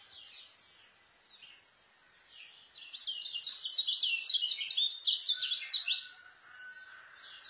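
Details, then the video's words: Fast 'speed rapet isian' kecial song used for tutoring new white-eyes. Faint twitters at first, then a loud burst of quick, tightly packed, high chirps and trills lasting about three seconds, with a steady thin whistle in the background. "KECIAL SPEED RAPET ISIAN,COCOK BUAT MASTER KECIAL BARU"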